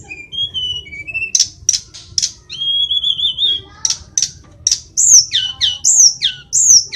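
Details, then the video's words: Tledekan, the Indonesian sulingan flycatcher, in full song: level whistled notes and a long wavering whistle, broken by sharp clicks, then a run of loud, high, downward-sweeping notes. "Sulingan gunung / Tledekan gacor"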